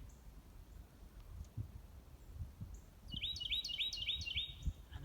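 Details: Carolina Wren at Bald Rock boardwalk, Cheaha State Park, singing off in the distance in its favoured habitat: a loud run of five quick, ringing, slurred phrases at about three per second over a low outdoor rumble.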